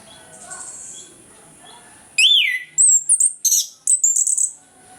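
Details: Orange-headed thrush singing the loud ngeplong morning song that serves as a lure for lazy birds: a strong falling whistle, then rapid, high chattering phrases repeated in quick bursts over a quiet background.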